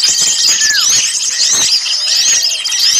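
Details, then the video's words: Busy crowd of small birds, a trapping lure: thin shrill squeals and short curving whistles pile over one another, with one lower descending slurred note near the start and frequent dry clicks. "suara pikat burung kecil ribut"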